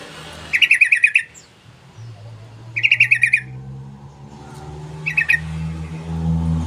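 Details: Sooty-headed bulbul calling three times, each a rapid bubbly cluster of chirpy notes lasting under a second, spaced about two seconds apart, with a steady low engine-like drone underneath.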